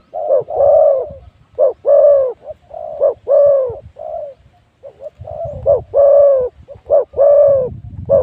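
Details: Used to call in wild spotted doves at spot 136, a decoy spotted dove repeats deep, soft coos in clustered sequences of short and drawn-out notes, with a short pause midway.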